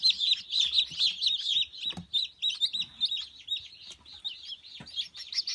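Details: Newly hatched Dark Brahma chicks, recorded 4 March 2018, peep continuously: shrill, high, overlapping cheeps about two a second, with a few soft low thumps underneath.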